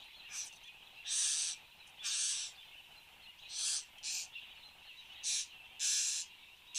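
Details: In Australia on 10 January 2015, shortly after 8 am, a satin bowerbird performs at its bower. It makes a run of seven or so scratchy, hissing bursts of varying length, spaced irregularly, over a background insect drone.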